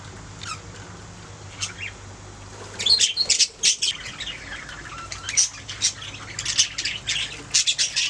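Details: Budgies making sounds: a few faint isolated chirps early on, then loud bursts of sharp high chirps and warbles starting about midway, over a steady low hum.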